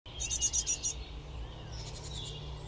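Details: Great tit fledglings about to leave the nest, begging as parents fly back and forth bringing caterpillars, mosquitoes and other insects; five quick high, thin chirping bursts in under a second, then a faint distant trill over low rumble.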